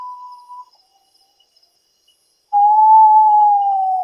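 A potoo gives a clear whistle, then after a pause a longer, steady, mournful note that sags slightly at the end. Little else is heard.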